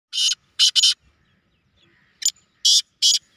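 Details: Black francolin (kala teetar) calling in a competition setting: harsh, rasping, buzzy bursts. First comes a single note, then a quick doubled pair, a pause, and then three more grating notes. The recording is otherwise quiet.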